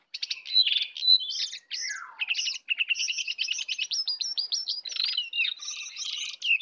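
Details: Sooty-headed bulbul, wild bird against caged bird in a heated song contest, full of 'isian' phrases: loud, rapid stuttering chatter of high notes with a falling slurred series, continuous and varied throughout.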